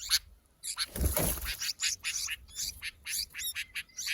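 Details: Himalayan bulbul (Pycnonotus leucogenys) chicks give rapid, harsh, high begging chirps in quick bursts, several a second, with a brief low rustle near the start.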